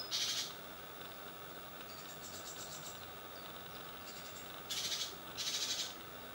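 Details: Great tit fledglings of a second brood leaving their balcony nest box at seven in the morning give harsh, noisy bursts, one at the start and two close together near the end, with faint scratchy calls between.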